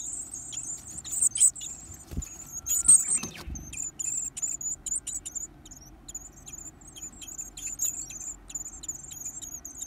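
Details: Feeding time for greedy young Varied tits: a sizzling, high begging chorus of rapid pulses, loudest early, with bumps and rustling around the two- to four-second mark.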